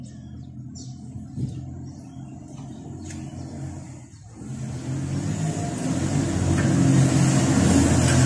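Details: Low rumbling traffic and a revving car engine that grows louder toward the end, with no animal voice.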